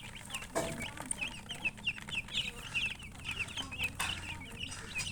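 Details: Chorus of baby chicks giving rapid high peeps, short sharp chirps packed closely together, with a few clicks and knocks and a faint low hum in the background.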